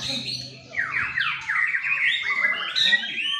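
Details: A performing white-rumped shama, bowing as it sings, throws out rich filler phrases: a quick series of descending whistled sweeps repeated several times, then higher bright notes, over a faint low hum.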